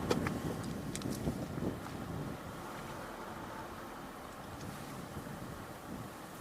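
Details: Steady rumble of a passing vehicle and road noise under wind, with a few sharp clicks early on and no animal voices.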